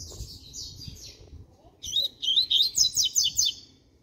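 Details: Young double-collared seedeater, six months old, beginning to sing: a short burst of sharp, rapid chirped notes near the end, repeated quickly after a fainter warbled phrase, with low background rumble.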